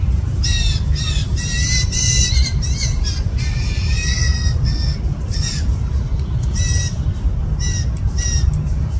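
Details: Fledgling blue jays, at least two, in a yard on June 20, 2024, demanding feeding from parents: clustered rasping squawks, dense at first, then thinning to scattered single calls, with a continuous low-pitched rumble underneath.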